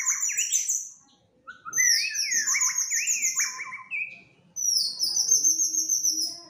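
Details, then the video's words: Agitated fighter white-rumped shama in lively song: a run of rising, ratcheting phrases, then high sustained whistles that slur downward, with a brief pause between bursts. "tes mintal murai batu fighter gacor dan emosi"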